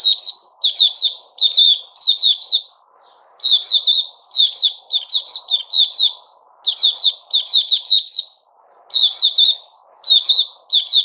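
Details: Captive sooty-headed bulbul (Puteh Raja), 10 July 2021, sings a long sequence of quick, sharp chirp bursts, each of two to five notes, separated by brief gaps. A soft low murmur runs behind.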